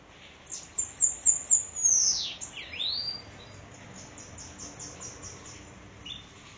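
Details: Sibite singing near Parnamirim, Rio Grande do Norte: a run of rapid high chirps, then sweeping downward and upward slurred whistles, followed by fainter fast repeated high notes.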